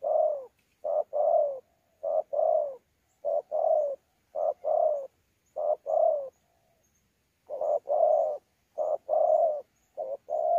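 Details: Wild-caught spotted dove from Sa Thầy recorded 26 November 2019, a fine cooer: long run of about nine two-part coos, each a short note and a longer descending roll, with one brief pause and faint high chirps.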